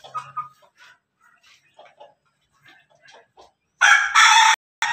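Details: Rooster from a cross of Pelung, Bangkok and Ketawa chickens: soft scattered clucks and background sounds, then a sudden loud, harsh broken crow near the end, cut short and followed by another burst.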